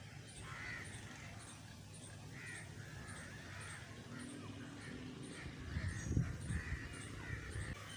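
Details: Crows repeat coarse, harsh caws roughly every second, above a constant low hum and a brief burst of deeper thumping noise toward the end.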